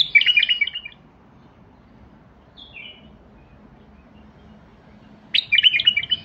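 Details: A Basra bulbul gives a loud tumbling warble, a brief soft falling whistle, then another rich burst of song after a pause of several seconds.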